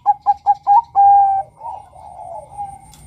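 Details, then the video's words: Male zebra dove (perkutut, Bangkok type) singing to draw other males into calling. Four short evenly spaced notes lead into one long level note, then a soft wavering coo trails off. "PANGGILAN SUARA Perkutut BANGKOK Gacor Kutut Bangkok NEGEL MEMIKAT Suara PERKUTUT JANTAN agar BUNYI"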